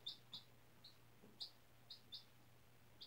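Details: Single 4-day-old domestic chicken chick, hatched April 17 from a white egg incubated for a school class, indoors on freshly changed bedding; eight short high peeps come in irregular bursts over three seconds, with a steady low hum behind.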